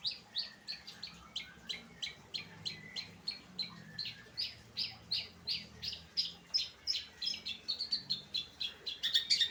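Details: Rapid rhythmic chirping from a long-tailed shrike in late afternoon, high buzzy notes repeated about twice per second, turning into quicker, more varied twittering toward the end.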